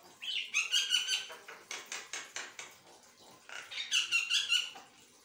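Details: Asian pied starling chattering without pause, with dense harsh rasping bursts and squeaky notes in two clusters separated by a quieter run of clicks.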